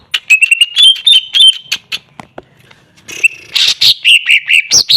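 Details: Greater green leafbird song meant to stir a silent bird into answering: rapid, varied whistled and chattering notes, some clear slurred whistles, dense bursts repeated quickly, with a brief quieter gap midway.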